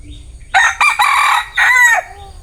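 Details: Loud, close crow from a bantam rooster: a harsh, buzzy call in three bursts over about one and a half seconds, ending in a falling slur, with little other sound.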